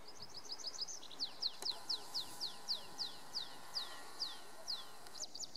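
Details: Tree pipit singing in early June 2019 on the Schomberg at Wildewiese ski area, Lennegebirge, Sauerland, Sundern, North Rhine-Westphalia, Germany: a quick high trill, then about eleven sharp, downslurred notes, roughly two per second, over faint background hiss.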